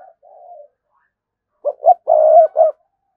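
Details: Cooing spotted dove on a lure recording to provoke response: a soft low murmured coo, a pause, then two short notes, a long sustained coo and a closing short one.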